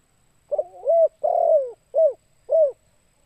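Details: One full spotted dove lure phrase: a short stuttering opener, a rising coo, a long coo sliding downward, then two brief rounded coos spaced about half a second apart.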